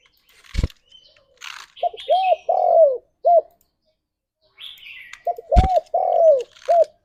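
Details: Cooing Spotted dove used to lure and stimulate other doves: two phrases of rounded coos ending in long, falling notes, each opened by a sharp knock, with buzzy high chirps of another bird.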